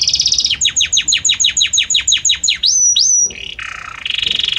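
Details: A Belgian canary sings with a harmonious voice and varied notes. Quick downward-swept chirps repeat about three times a second, rise into two upslurred whistles, then break into short buzzy rolls at lower and higher pitch.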